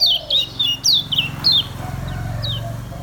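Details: Caged kecial kuning, the Lombok white-eye, singing slow ngejos: a handful of clear, high, sharply descending notes about three per second, then fading into a soft background hum.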